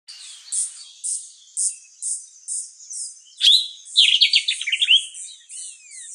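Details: Sombre greenbul calling from within a tree in South African forest: one loud, sharp downslurred whistle, then a quick bubbling run of chattering notes. A high, steady pulsing of another caller repeats about twice a second throughout.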